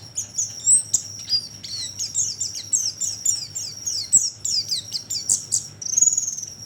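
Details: Oriental white-eye calls played as a lure to attract birds: rapid high, thin chirps and short twittering notes tumbling in quick succession, with a steady high-pitched whine running underneath throughout.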